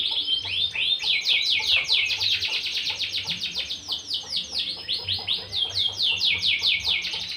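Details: Caged canary kept by a rural breeder for song contests, pouring out a continuous fast trill of high sweeping chirps repeated over two per second, the rhythm pulsing without pause throughout.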